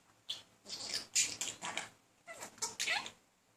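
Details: Male budgerigar chatting to a female in a room, courting her without much success; scratchy warbled chatter in two uneven bursts with squeaky chirps.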